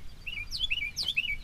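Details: Northern mockingbird singing from a tree by a New Jersey reservoir gives quick, repeated downslurred whistled notes, several in under two seconds, with light background noise.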